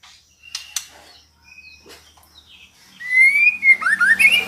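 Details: A female white-rumped shama call used to draw a male into song. Faint ticks and thin notes open the sequence, then a loud rush of rising, overlapping whistles fills the last second and a half.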